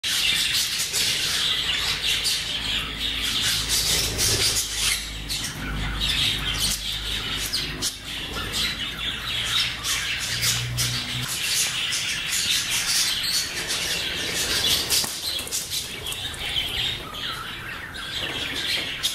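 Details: English budgerigars at play chatter nonstop with busy, scratchy warbles and sharp squawks; a budgerigar recording.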